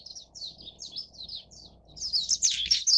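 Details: Japanese white-eye feeding chicks, giving a run of thin, high chirps about four a second, then breaking into a busier, overlapping burst of sharp twittering notes.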